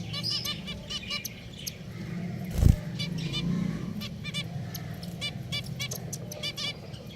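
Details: Pet finches kept together, giving short nasal harmonic beeps in irregular bursts from several birds, over a steady low rumble with one sharp knock near the middle.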